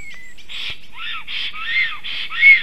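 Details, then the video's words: Male and female Black Storks at their nest on 12 July 2023, late morning, defending against a strange intruding stork: a rapid series of nasal, harmonic notes repeated about every half second, preceded by a thin downward whistle. "A strange Black Stork disturbs. Male & female are defending"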